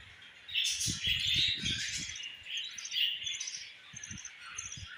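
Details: Mother budgie feeding a baby budgie; busy high chirps and raspy chatter mixed with a quick series of low tapping or fluttering thumps in the first half.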